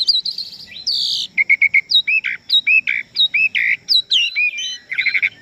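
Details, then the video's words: Asian pied starling in full song: rapid strings of clipped whistled notes near the same pitch, mixed with buzzy bursts and upward-swept chirps, delivered almost without pause. "SUARA BURUNG JALAK SUREN GACOR FULL ISIAN"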